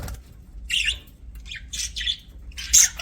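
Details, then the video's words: Pet budgies make warbling chirps in short clustered phrases, buzzy and slightly rising, ending on a louder sharp squawk. "BUDGIES CHIRPING SOUND"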